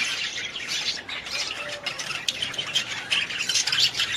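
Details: Harsh budgerigar squawks and grating chatter layered densely, with sudden louder bursts scattered through a continuous high, noisy warble.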